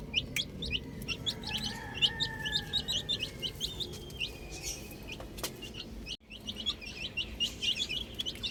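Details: Playing chicken chicks chirp in a steady high-pitched chorus of short peeps, with a soft sustained squeak early on and a split-second dropout before the peeping resumes.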